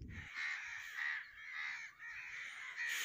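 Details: Crows at a roost give shrill, harsh caws that overlap into a dense, continuous chorus, swelling and fading in loud bursts about every second.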